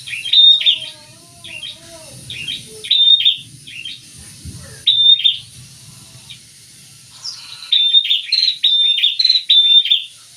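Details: Two prinias singing together in lively fashion: rapid, high, sharp chirped notes in clusters, with a few clear whistled notes, pausing briefly midway before a fast run of repeated chirps. A faint low hum sits beneath.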